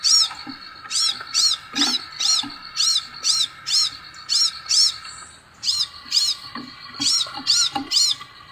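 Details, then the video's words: Scarlet sunbird calling: sharp, high arched chirps, often paired, repeated quickly about twice a second with a short gap midway, over a steady low-pitched tonal hum. "SEKALI PUTAR BURUNG LAIN IKUT NYAUUTT|| BURUNG SEPAHRAJA"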